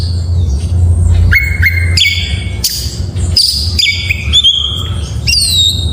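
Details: Morning singing of an oriental magpie-robin, a series of bright whistled notes, some flat, some sliding down, mixed with short harsh bursts, against a steady low hum.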